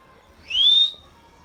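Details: Pet Indian ringneck parrot giving a single clear whistle that rises smoothly and lasts under half a second, with faint low background noise before and after.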